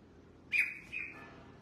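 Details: A red-whiskered bulbul, kept as a pet and out for bathing and sunshine, gives one brief two-part whistle: a sharp loud note, then a softer level tail.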